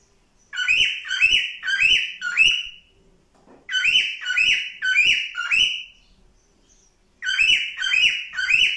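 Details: Cockatiel (Nymphicus hollandicus) song: bursts of four to five bright, warbling whistled notes, each rising then falling, with short pauses between phrases in a quiet room.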